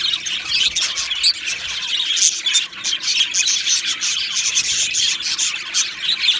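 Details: Australian budgerigars, two males, twittering in a lively, nonstop flow of sharp high tweets and short scratchy notes.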